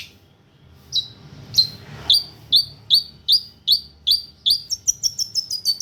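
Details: Long-tailed shrike song meant for tutoring other birds: spaced, bright upslurred chirps that grow steadily faster, ending in a quick run of higher, thinner notes.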